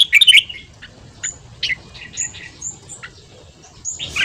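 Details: Morning ché-style song of a red-whiskered bulbul, a fast training song for rousing newly caught birds: a loud warbled burst opens, sparse chirps follow, then another loud phrase closes, over faint high whistling from other birds.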